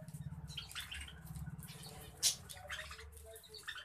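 Budgerigars keep up a busy run of scratchy chirps and squeaky warbling notes, with one sharper squawk near the middle, over a steady low hum.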